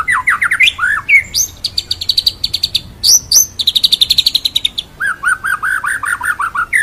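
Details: Masteran of murai batu, the white-rumped shama, singing full ngerol nembak: rising slurred whistles, a high rapid trill, sharp notes, another trill, then a string of repeated mid-pitched chirping whistles.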